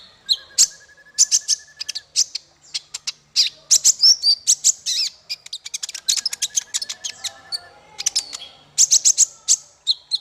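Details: Bird song used as masteran to teach small fighter birds. A nearly continuous, fast stream of high, sharp chirps and twitters, briefly underlaid by a steady buzzy trill early on. Clean background.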